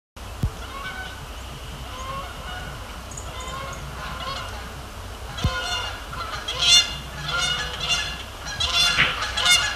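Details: Canada geese on a frozen pond at Sapsucker Woods, Cornell Lab FeederWatch Cam, February, before sunset, visiting and taking off; a chorus of loud, harmonic honks building in the second half, several birds calling over one another, faint background hum.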